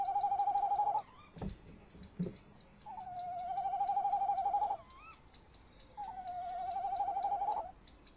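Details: Tawny owls at a nest box, the male trilling inside and the female close by, late evening of 30 May 2015: long wavering level trills about every three seconds, with short upward squeaks between bouts and two dull knocks.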